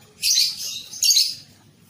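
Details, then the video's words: Young lovebird on a training recording meant to make juvenile birds sing readily; two loud, harsh, high screechy bursts about a second apart over a low background murmur. "TERAPI LOVEBIRD PAUD | CEPAT GACOR"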